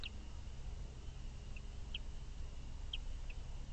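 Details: Chimney swifts at the top of an artificial chimney tower built for swifts on farmland nature conservancy in Valencia, Pennsylvania, first night coming to roost, 5 May 2023: scattered short high chips, about five in four seconds, over a steady low rumble.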